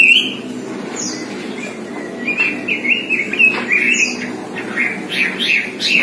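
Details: Pekin robin (red-billed leiothrix) tutored on the songs of many songbirds, delivering a continuous, fast, varied warble of bright whistled and chattering phrases, rising and falling, with sharp high notes scattered throughout and no pauses.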